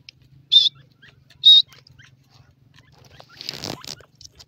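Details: Wild yellow francolin, locally called teetar: two loud, high, slightly harsh call notes about a second apart, followed by a burst of rustling noise and faint chirps.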